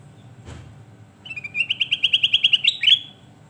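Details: A single dull thump, then a sooty-headed bulbul (kutilang emas) delivers a rapid string of clear whistled notes, steadily rising and ending in a short burst; recorded as a tutor song for training birds.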